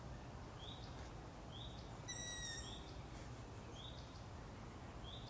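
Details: Young Long-eared owls calling in darkness: thin rising squeaks repeated at roughly one-second intervals, one longer buzzy tonal note in the middle, over low background rumble.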